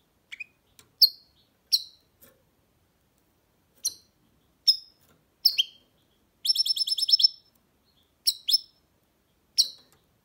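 A goldfinch hybrid sings bright, high twittering notes in short bursts, with one fast rattling trill in the middle; nothing else is heard.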